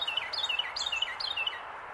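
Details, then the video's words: Carolina wren on a branch in Pennsylvania, January 2024, singing loud rolling phrases of sweet, sliding whistled notes, about three per second, bright and ringing against a constant soft hiss. "Carolina wren sitting on branch singing"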